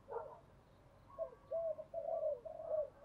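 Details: Spotted dove cooing, used to provoke a wild rival, heard more distantly: a short muffled phrase, then a string of four soft, even coos against steady low background hiss.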